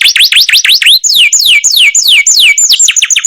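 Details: Canary of masteran type sings looping V-shaped whistles, then slower long downward-slurred notes repeated about twice a second, then quick chirps.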